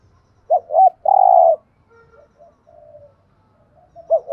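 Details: Spotted dove cooing for decoy training: two quick low notes then a long buzzy drawn-out coo, followed by faint soft coos and another short doubled note at the end.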